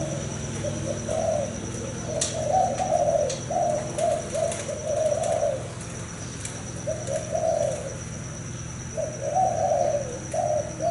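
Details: Captive male spotted dove that has fathered several broods, cooing loudly: soft, mellow, slightly rising coo phrases in short groups, pausing between series, over a steady low hum and a constant high whine.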